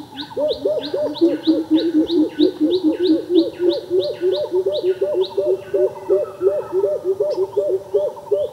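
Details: Greater coucal gives a long run of deep, hollow, booming notes, about three a second, while another bird adds thin, falling high notes.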